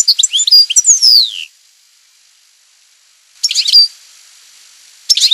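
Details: A European goldfinch gives campero-style song: a rich twittering phrase ending in a long falling whistle, then after a pause a shorter burst of tinkling notes and the start of another.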